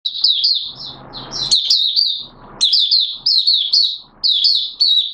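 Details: Malaysian Oriental white-eye giving buka song in Singapore on 29 March 2023, warm humid weather with sudden showers. High, sweet, quickly warbled twittering phrases in bursts of about half a second, repeated with short pauses; a faint low rustle between phrases.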